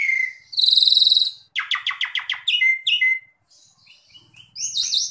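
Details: Asian pied starling song used as a training recording for caged birds: a clear whistle, then bright buzzy harmonic phrases, a rapid series of rattling notes, short whistles, and a rising scratchy ending.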